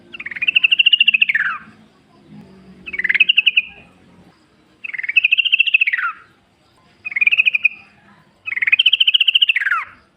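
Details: Yellow-vented bulbul in the wild delivering five lively chattering phrases, each a fast string of pulsed notes arching up and falling away, spaced roughly two seconds apart, with soft low background murmuring.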